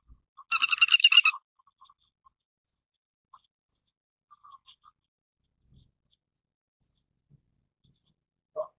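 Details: Grey-headed lapwing, also called 跳鴴, gives a single harsh, rapidly pulsed chattering call lasting under a second, broad and noisy with stacked bands, then a few faint short notes in an otherwise quiet setting.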